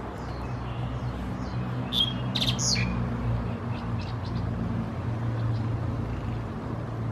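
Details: Common myna (Acridotheres tristis tristis) bobbing its head on a Norfolk Island pine at Khao Yoi, Phetchaburi, Thailand, 13 February 2024; a few harsh squawks and scratchy chirps cluster mid-clip over a steady low engine hum.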